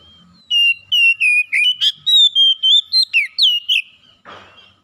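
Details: Oriental magpie-robin (kacer) whistles a brisk series of roughly fourteen sweet, slurred notes with a scratchy note in the middle; a brief rustle follows the phrase.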